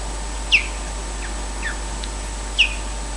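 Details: Osprey at Loch Garten, Scotland, giving intruder alarms during a snatch of skydance: two shrill, downslurred whistles about two seconds apart, with softer thinner calls between them, over a low steady background hum.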